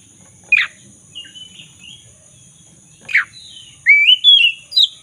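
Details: Black-throated magpie-robin in full, lively song, a lure for restoring a bird that has stopped singing: two harsh descending rasps separating soft whistles, ending in a run of bright rising whistled notes.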